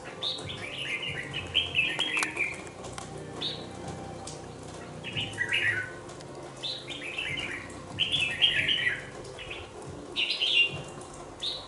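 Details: Caged young red-whiskered bulbul, two months old, sings a long series of short bubbling phrases. Each phrase has clear whistles that slur downward, coming every second or two. Light rustling and a faint hum sound in the background.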